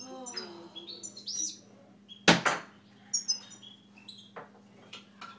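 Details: Pet Siberian goldfinch kept at home giving short high chirps and twittering notes, a few sharp upswept calls, with two loud clicks midway and a steady low electrical hum throughout.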